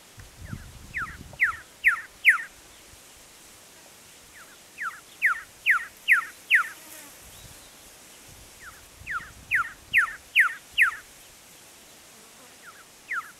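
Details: Male red-lored whistler in the Cobar area of Central West New South Wales, 18 December 2016: three phrases of four to five descending whistled notes that grow louder through each phrase, separated by pauses of a few seconds, with faint low rumbles at the start.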